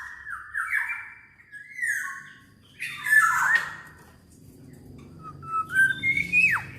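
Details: Black-naped oriole in vigorous song intended to prompt other orioles: harsh squawks and gliding whistles over a low steady background hum, finishing with a sharp descending note.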